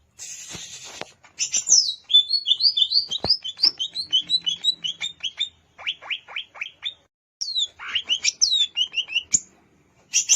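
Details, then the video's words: Greater green leafbird in the wild at Alas Purwo, Banyuwangi, delivering a rapid chattering song of quick repeated chirps and slurred whistles, brief pauses between bursts, and high sweeping notes near the end. "Suara Asli CUCAK IJO Alas Purwo BANYUWANGI"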